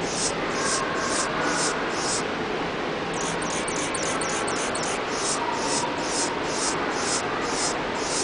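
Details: An adult male Anna's hummingbird (Calypte anna) in a zoo's indoor Desert Dome, Omaha, Nebraska, on March 3, 2007, sings very high, thin, scratchy squeaks about twice a second, with a quick buzzy cluster midway, over a steady rushing background.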